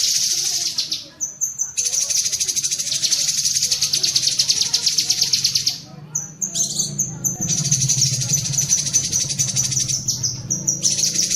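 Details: Cucak kinoi bulbul chattering in fast, dense bursts of shrill notes, with a few pauses and a faint low hum beneath. Serves as training audio for pet songbirds.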